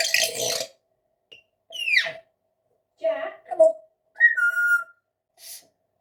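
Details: Female rescue Congo African grey parrot kept as a pet, mimicking household noises: a harsh cough-like burst, a falling whistled sweep, mumbling chatter and a clear descending whistle, separated by short silences, recorded in a small room.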